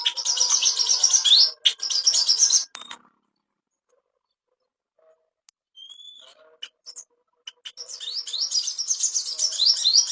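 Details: Ashy tailorbird master song for bringing on breeding condition: fast high chirping at the start and end, with a long quiet gap holding faint clicks and a single thin whistle.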